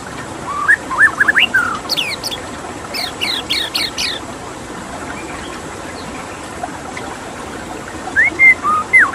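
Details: White-rumped shama singing over a steady water sound: short whistled phrases around the start, a burst of high sharp notes near two to four seconds, then more fluting whistles toward the end.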